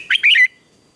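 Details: Red-whiskered bulbul singing in the morning during a song contest: a single short, loud phrase of three slurred whistled notes, lasting half a second and then falling silent.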